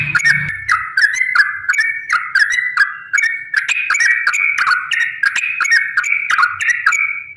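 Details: Long rapid song of a yellow-vented bulbul, used to prompt other bulbuls to answer: a continuous chain of liquid, gurgling notes, each short phrase dropping then lifting again, delivered in a steady stream.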